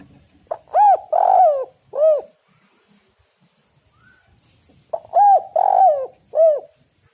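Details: Spotted dove coo phrase, used as a lure to draw doves into calling: a stuttered start, an arched coo, a long purring coo and a falling end note, then a pause, and the whole phrase repeats about four seconds later.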